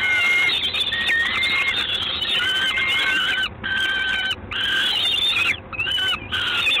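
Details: Peregrine falcon in Gdańsk, evening of 3 June 2016: a run of rasping, strained screams, each lasting about a second, some sliding up or down, with brief silent breaks between bursts and constant hiss behind.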